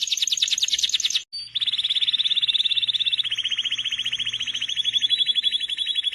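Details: Canary song: a very high, bright buzzing trill, a short pause, then a long, rapid rolling trill of repeated notes that slowly drops a little in pitch and continues steadily to the end.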